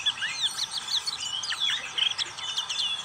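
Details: Black-capped white-eye (pleci) in ngriwik song, delivering a quick run of high, chattering twitters and sweeping whistled slurs that rise and fall without pause.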